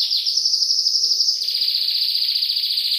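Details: Trilling canary song for training young birds, water murmur added: a dense high roll holding one pitch, then a slight drop into a faster, smoother trill, with faint low chirps in the background.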